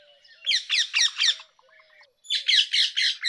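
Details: Rose-ringed parakeet giving two bursts of harsh, grating screeches, four rapid notes then a short pause and four more, with faint low whistles from another bird between bursts.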